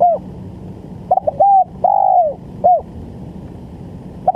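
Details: Lure call of a spotted dove for bird trapping: a few short coos leading into a long, slightly rising and falling coo, then a short coo, with a constant low hum behind.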